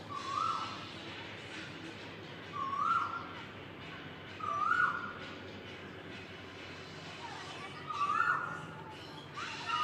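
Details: Asian koel calling outdoors: a short, rising, whistled two-part note is repeated about every two seconds over a steady background hiss and rumble.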